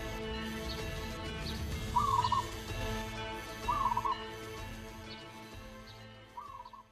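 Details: Local zebra dove in its performing coo, called manggung: three short burbling, trilled coos spaced roughly two seconds apart, heard over a steady humming background with tonal bands.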